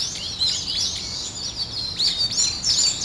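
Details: Birds singing in the morning: several high chirps and quick rising and falling whistled notes overlapping, steady background hiss throughout.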